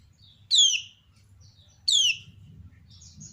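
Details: Two loud ciak chirps from a female kecial kuning (lemon-bellied white-eye), each a sharp downward sweep about one and a half seconds apart, followed by a soft high twitter from another answering bird.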